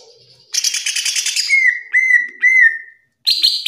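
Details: Green leafbird (cucak ijo) singing gacor in the ngerplong style. A harsh buzzy chatter leads into three clear, downslurred whistles, then a brief silence and another buzzy phrase.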